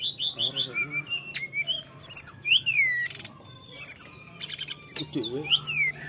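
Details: Bali myna singing vigorously: clear whistled notes, some rising and some falling, alternate with sharp, buzzy bursts and short chatters in an uneven rhythm over a steady low hum.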